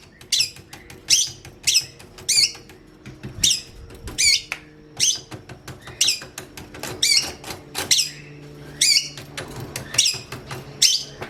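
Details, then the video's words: Training song of a long-tailed shrike for tutoring other songbirds, made of sharp, high, downward-sweeping notes repeated about every half second to one second, each harsh and scratchy, with faint background hum. "KICAUAN BURUNG CENDET"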